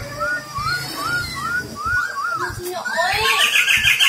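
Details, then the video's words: Silver-eared laughingthrush kept as a trapping lure, singing a series of clear up-and-down whistled notes about every half second, then a burst of higher chattering phrases, with faint human voices and low thumps beneath. "Khướu bạc má hót hay, khiếu bạc má mồi bẫy"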